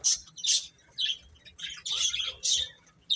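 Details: Chicks give loud, shrill peeps in separated bursts, about one every half second, with several birds overlapping at times.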